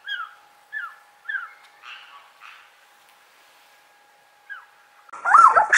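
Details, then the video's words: White-crested laughingthrush (Garrulax bicolor), kept as a loving pair, gives short clear down-slurred whistles about every half second, then softer buzzy notes, ending in a loud harsh burst; said to give loud quarrelsome chattering calls while foraging. "Häherling singt und zwitschert Vogel Gesang Garrulax Bird Singing Call"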